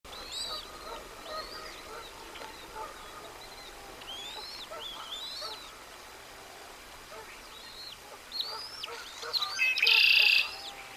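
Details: Bald eagle family feeding at the nest on March 28, 2024: a series of high, arched squealing calls, some repeated in quick runs, then a short loud burst of noise near the end.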